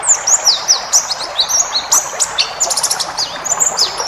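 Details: White-eye in 'ngalas' wild style, full of varied phrases, recorded to train caged birds: lively, high-pitched twittering of rapid chirps, downslurred notes and short trills, almost continuous across the clip above a faint hiss.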